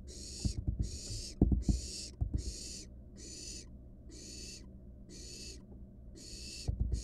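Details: Barn owl chick in a wild nest box, swallowing a rat before the camera: a series of rasping hisses about every three quarters of a second, with bumps and scratching at the start and end.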